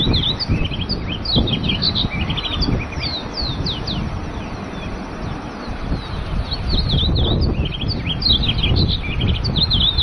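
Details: Masked yellowthroat (Geothlypis aequinoctialis) calling at Laguna del Diario, Uruguay, on 13 December 2016: quick, high chirps and short downslurred notes in busy bursts, two or three a second, over a steady low rumble of wind or distant traffic.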